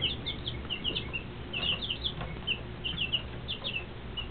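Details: A group of two-week-old chicks, Rhode Island Red and Shaver Red, giving shrill, brief peeps in quick irregular succession, often falling slightly in pitch, over a steady low hum.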